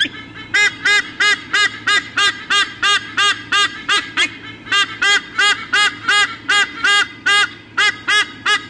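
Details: Nesting eagle pair, Sydney Olympic Park, Australia, August 2014, calling before they change over at the nest, from a nest camera: nearly continuous goose-like honks, fast and somewhat irregular, with one short break mid-clip.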